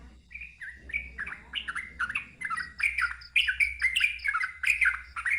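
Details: Sooty-headed bulbul singing loudly in the nonstop 'ngeropel' style with a wild-sounding 'ngalas' voice: a rapid stream of short, chirpy, liquid notes that rise and fall and build in loudness, over a steady low hum.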